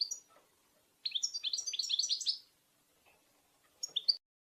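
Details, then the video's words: Goldfinch group chatter (betbeta), played to stimulate male European goldfinches to sing and breed. A short opening note leads into a rapid run of ringing, slurred twitters about a second and a half long. A brief twittered phrase follows after a pause. "بتبتات رهيبة في تحفيز الحسون على التغريد"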